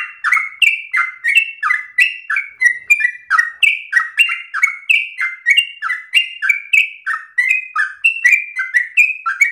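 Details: Long-breathed, rapid 'gacor ropel' singing from a yellow-vented bulbul, offered for raw bulbuls to copy: an unbroken chain of liquid, warbling two-part notes, rising then dropping, repeated without pause for nearly ten seconds.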